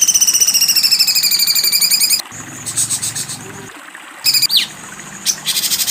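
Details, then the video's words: Cucak cungkok delivering a fast, buzzy, pulsing trill for about two seconds. After it, short broken high bursts, a brief downward sweep and a low hum are heard. "cucak cungkok besetan tajam"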